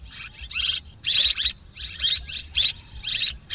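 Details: Lure recording for swiftlet farming: high, dense, rattling twitters in uneven bursts, some longer and louder, separated by brief pauses.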